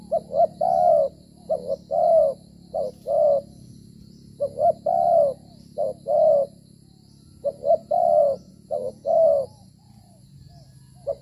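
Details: A spotted dove used in dove trapping coos in low, soft phrases repeated in clusters, each a short note then a longer rolling coo. Recorded around 6 pm near dusk on 25 September 2023, in the rainy season, with a faint hum and distant birds.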